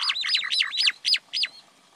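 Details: Common myna giving a fast series of clear, sweeping notes, each rising then falling sharply, about six in a row over one and a half seconds, the last two spaced apart, then quiet.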